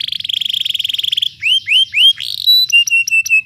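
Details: Canary rolling song played to train other birds: a fast buzzy trill, then several rising whistled slurs, a brief harsh buzz, and a run of sharp clipped pips repeated about four times a second.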